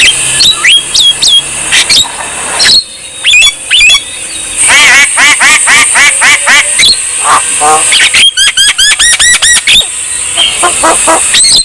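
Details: Javan myna in energetic song, used as a therapy for lazy birds: busy, varied phrases of harsh squawks, quick repeated arched chirps in bursts and sharp whistles, loud throughout with little pause.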